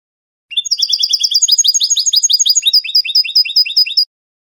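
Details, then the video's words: European goldfinch performing Spanish canto de salón on a training recording: a continuous stream of fast twittering, mixing tight rapid trills with rolling up-slurred notes and high thin whistles, with no background noise. "CD CANTO DE SALON JILGUERO "ROCKY" شريط لغة الحسون الإسباني"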